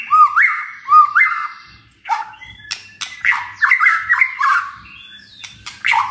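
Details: White-rumped shama (murai batu) song with crackling bursts and sharp shot-like notes: two rising whistled phrases, then harsher, busier warbling and clicks.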